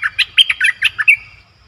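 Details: Bulbul recorded as a lure for wild birds: a quick run of about seven sharp, chirpy notes over roughly one second, jumping up and down, with the last note slurring down and trailing off.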